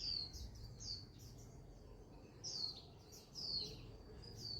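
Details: Countryside bird song heard outdoors: a series of high, sweet whistled notes and short chirps in loose clusters, some dropping in pitch, irregularly spaced over a quiet rural background.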